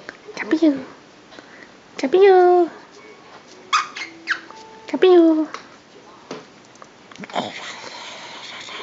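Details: Pet Senegal parrot indoors, saying its own name for the first time: short speech-like syllables with stacked harmonics, uttered in several bursts of about half a second, separated by quiet gaps, with a faint hiss toward the end.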